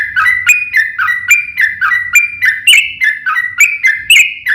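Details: Aggressive fighting song of a yellow-vented bulbul, a long 'ropel' meant to trigger other bulbuls to reply. Warbling whistled notes alternate high and low in a bouncing run, each with a bright click on top, while a soft low hum continues underneath.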